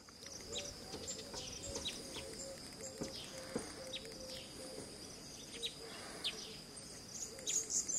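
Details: Western red-billed hornbill in The Gambia, November 2018: a steady series of low clucking notes repeated about twice a second, over a dense high insect drone and scattered chirps from other small birds.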